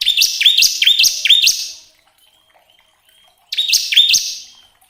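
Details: Bar-winged prinia song played to prompt caged birds into singing: rapid bursts of sharp, high, downslurred chips, then a quiet pause with a faint thin whistle, then another chattering burst.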